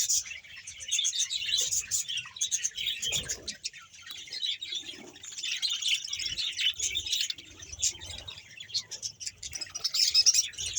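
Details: Around 100 pairs of budgerigars in a Bahawalpur colony, steady chirruping and warbled chatter from many birds, with sharp clicks scattered through and a faint low thud early on.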